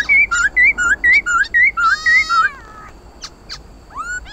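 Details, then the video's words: Laughingthrush (khướu mun) song used to rouse pet birds: a fast series of about eight bright, wavering whistled notes, then a longer nasal phrase, brief clicks and a rising whistle. "Tiếng khướu mun hót đấu kích bổi căng lửa"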